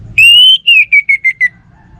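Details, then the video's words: Orange-headed thrush, a caged songbird, sings one long pure whistle that climbs slightly, then drops into five stuttered, gradually lower notes. "Burung ANIS MERAH Lansung Nyaut Gacor Tanpa Henti"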